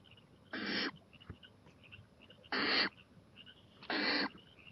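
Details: Night-time owl on a porch at 11:26 pm, 23 April 2018, looking toward the playground; three strong breathy hisses, each under half a second, spaced roughly one and a half seconds apart.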